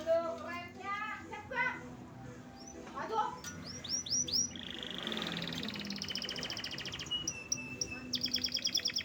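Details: Canary song in which rapid rolling trills, rising and falling sweeps and buzzy high notes run from about the third second onward, after a man talks over the opening seconds; low steady hum throughout.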